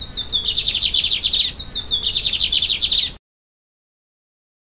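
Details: A free wild lined seedeater in Vila Pavão, Espírito Santo, Brazil, sings two quick, high, twittering phrases, each ending in a buzzy upward flourish.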